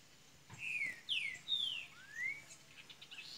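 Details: Double-collared seedeater from Minas Gerais, Brazil, starting to sing: a few well-spaced, clear downslurred whistles and one rising note, heard fairly distantly over a steady background hiss.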